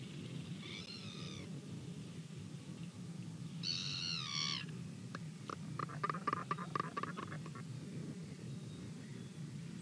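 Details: Albatross incubating an egg on a nest camera run by New Zealand's Department of Conservation, 26 December 2019 at 09:55, signalling to a passer-by: two short nasal harmonic calls, then a burst of rapid dry bill clacks, over steady wind rumble.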